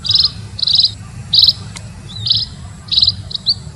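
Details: High, buzzy chirping notes from a munia in separate bursts with short gaps, set against a low continuous hum.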